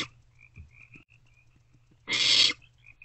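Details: At night in a nest box, late March 2024, where a parent has delivered a vole, an owlet gives a single raspy hiss lasting about half a second after quiet faint chirps and soft knocks.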